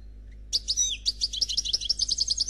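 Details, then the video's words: A 'Noir' European goldfinch sings in the Khalwi style, said to be without faults: after a brief silence a sliding whistle gives way to a fast, even series of high tinkling notes, with faint low hum. "Chardonneret Noir Khalwi Chant sans fautes"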